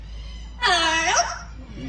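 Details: A talking parrot at a parrot show at African Lion Safari mumbles a speech-like greeting, "how are you?", in a rich, harmonic voice.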